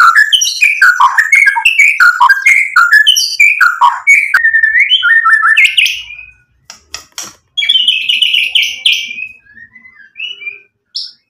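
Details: White-rumped shama in loud, continuous song to provoke a reply from other birds, fluid warbling whistles rising and falling in quick succession, then a pause and further clicks and bright whistled phrases.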